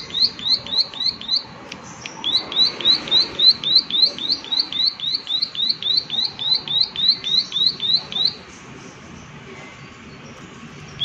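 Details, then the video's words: Prinia in the "klik klik" calling style: two bursts of rapid, high, down-slurred ticking notes, about three per second, running for roughly eight seconds before falling quiet. "Prenjak Klik Klik Gacor"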